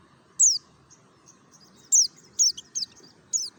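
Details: Ngalas-style song of a mountain white-eye from Merapi, played as a lure: sharp, very high descending whistles, some single and some in quick pairs or triplets, with faint thin twitters between them.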